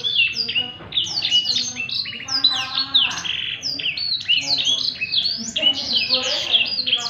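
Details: Blackthroat delivering energetic ngerek-style song for tutoring birds: crowded bursts of bright, high twitters and slurred chirps, with fainter lower rattling notes woven through the whole stretch.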